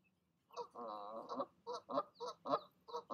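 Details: Goose parents in the evening, urging their goslings to leap from the nest, give a drawn-out nasal call followed by short honks repeated about twice a second.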